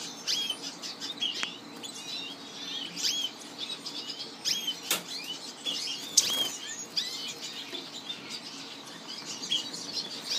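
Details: Young Orange-breasted Buntings (Passerina leclancherii), recorded in 2015, give a busy, irregular stream of thin, high chirps and tweets, with brief fluttering and sharp pattering sounds.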